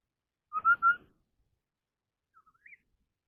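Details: Chinese hwamei contest singing. Three strong, even whistled notes open, then after a pause come soft clipped notes ending in a small upward slur.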